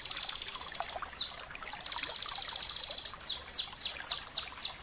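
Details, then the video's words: Bar-winged prinia song, recorded as tutor material to train other birds to sing, in the rapid 'ngebren' style. A thin high buzzy trill alternates with bursts of sharp, descending, whistled notes repeated several times a second. "masteran suara ciblek kristal gacor jernih"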